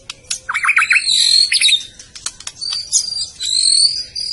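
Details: White-rumped shama from Medan giving high thin rapid notes, a short series of falling whistles, then sustained high buzzy trills and sharp clicks.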